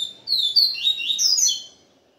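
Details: Papa-capim, Israel song style, after one day with a female: a phrase of clear whistles, long downslurs alternating with quick trills, lasting about one and a half seconds.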